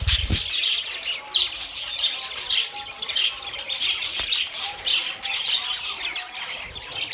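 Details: A group of budgerigars keeps up continuous twittering, a mix of buzzy rasps and short bright chirps, with a low thump near the start and a steady, crowded chorus throughout.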